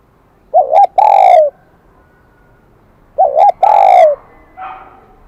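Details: Spotted dove in the high-pitched 'kim đồng' voice style gives two ringing phrases, each a quick double warble and then a drawn-out descending coo. A softer, rougher coo trails after the second phrase.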